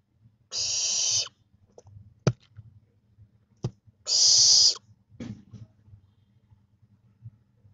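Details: Barn owl owlets about 25 days old, losing their fluffy down, give two loud harsh rasping hisses, each under a second, separated by a few sharp clicks and thumps, over a low steady hum.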